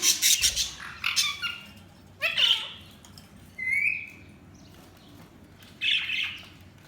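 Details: Budgerigars chirping, with scattered short bright chirps and a few warbled notes in separate bursts, one clear rising whistle near the middle, and quiet pauses between the calls.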